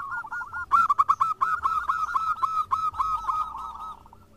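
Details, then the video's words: A local zebra dove singing actively amid answering birds: a loud run of rapid, ringing cooing notes with rising and falling slurs, fading into a softer trill at the end. "PERKUTUT JADI RAMAI SALING SAHUT !! (Perkutut lokal gacor)"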